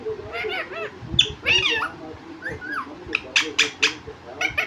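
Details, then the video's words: Pet parrot taught to talk, reportedly saying "mummy papa": harsh stacked squawks and bending voice-like syllables, followed by several sharp bursts in quick succession near the end. "Batooni Tota, mummy papa telking mittu parrot 🦜 bolane wala tota"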